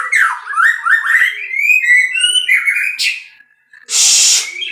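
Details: Captive-bred white-rumped shama singing a flowing phrase of slurred, rising whistles over faint high trills, then going quiet before a loud burst of hissing noise.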